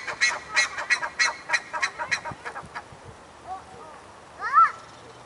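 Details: Bare-faced ibises on a tower, settling in to roost for the night, give a quick run of about eight harsh, nasal notes fading over two seconds, then a few softer calls and one louder, rising honk.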